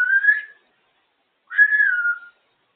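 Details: Two loud, drawn-out whistles from a talkative female African grey parrot out of its cage, the first slightly rising, the second falling gently, separated by about a second of silence.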